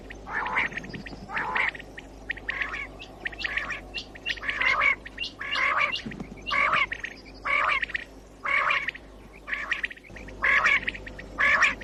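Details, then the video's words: Common quail calling, a recording used as a lure for morning hunting; harsh, buzzy bursts with a brighter note inside, repeated about once a second, with fainter similar calls ticking in the background. "COMMON QUAIL CALLING 2019 BATAIR KI AWAZ SUBA KI SHIKAR KI LIYE"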